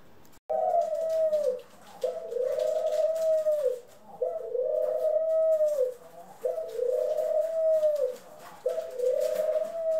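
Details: Pet doves from a mixed ringneck, Senegal and hybrid flock, April 25, 2021: five smooth, gently arching coos, each over a second long, follow one another about every two seconds against faint background rustling.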